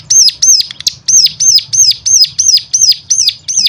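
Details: Bright high chirps, each arching up and down, repeated about three times a second with a brief hitch near the start; a song aimed at making other cigun sing.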